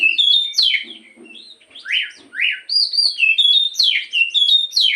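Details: Black-throated magpie-robin morning song intended to stimulate another bird to sing: whistled notes and slurs, low soft chatter, two strong rising sweeps, then quick repeated bright phrases.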